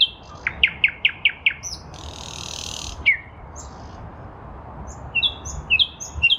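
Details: Nightingale song in a lilac bush, spring 2023: a quick run of five repeated sharp notes, a harsh buzzy rush, a down-slurred whistle, then a pause before paired high chirping notes.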